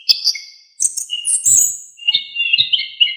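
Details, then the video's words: Lively full-isian song of an Orange-headed thrush, recorded as a master track for tutoring cage songbirds: bright high slurred whistles, then a run of quick trilled notes with faint low knocks. "KICAUAN ANIS KEMBANG GACOR FULL ISIAN"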